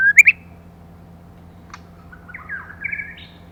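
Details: Female white-rumped shama, a lure bird used to stimulate males: two sharp high chirps at the start, a short click, then a soft series of slurred whistles rising and falling near the end, with a low steady hum behind.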